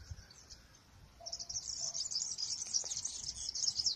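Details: Several wild European serins singing near an olive tree; after a quiet first second a continuous very high, rapid, jingling trill runs to the end, over faint low background noise.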